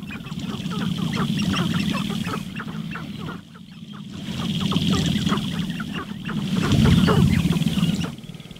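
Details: Displaying male sharp-tailed grouse on a lek one morning, a female present looking for a mate; waves of low rapid drumming swell and fade in three bursts, mixed with many short cackling calls.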